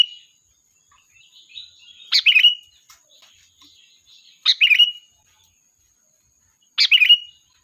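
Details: Sooty-headed bulbul calling the flock as a lure: soft twittering leads into three loud, liquid chattering phrases spaced about two and a half seconds apart.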